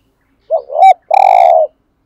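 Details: Decoy spotted dove cooing to lure wild doves: a short, hoarse two-part coo, a quick dipping note running into a brief rise, then a longer, steady, throaty coo after a small gap.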